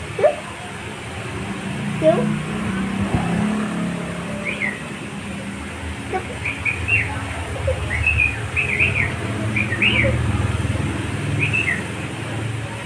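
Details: A pet cockatiel gives short, sharp chirps in quick bursts, sounding irritated and angry while playing with another bird.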